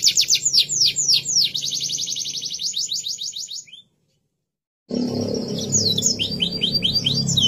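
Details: Tutor recording of a canary for training young birds. A fast, high rolling trill of sliding notes runs for several seconds, breaks off into silence, then resumes as sharp, repeated down-slurred whistles over a low rumble.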